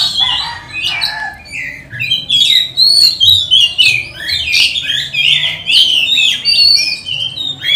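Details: Oriental magpie-robin giving an energetic 'gacor' lure song meant to provoke and train other magpie-robins; quick bursts of sharp, high chirps and whistled slurs, repeated in uneven pulses.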